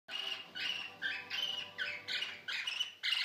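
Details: Male cockatiel about one year old, caged, singing while courting an older female during mating: a series of harsh, buzzy warbled phrases roughly every half second, with grating notes between them.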